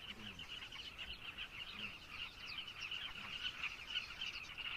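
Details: Many carmine bee-eaters in Zambia keep up a steady stream of quick, trilled chirps, busy and overlapping, several calls each second, forming a constant colony chorus with faint low thuds beneath.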